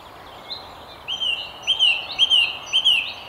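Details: Song thrush singing from the very top of a tree beside the River Tyne near Haddington: a clear whistled phrase, rising then falling, repeated about four times in quick succession, over a soft background hiss.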